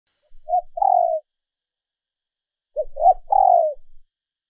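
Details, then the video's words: Female dove calling to lure males, recorded and edited as a decoy sound: two soft cooing phrases, each a short note rising into a longer falling coo, separated by about one and a half seconds of silence. "Tiếng Chim Cu Mái mp3 kích Trống Mới Nhất"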